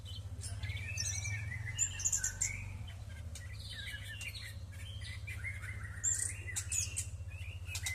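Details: Orange-headed thrush bathing in the morning, singing soft varied whistled phrases with rising and falling slurs and short high notes, set against a constant low droning hum.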